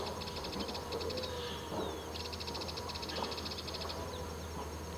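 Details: A family of yellow-eyed babblers on top of grass at Dakdam, Mondolkiry province. Two bursts of rapid, high chattering notes are separated by a brief downslurred whistle, over a constant low hum.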